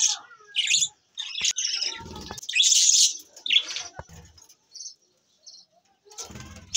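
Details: Budgerigars, recorded on April 9, 2024, chatter in a rapid stream of high, scratchy chirps and warbles, with a voice faintly beneath.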